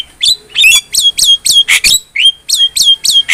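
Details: Javan myna in vigorous song for a tutor recording: a steady series of short, high, downslurred whistled notes, each with a squeaky start, repeated roughly every quarter second, with one or two harsher rasps mixed in.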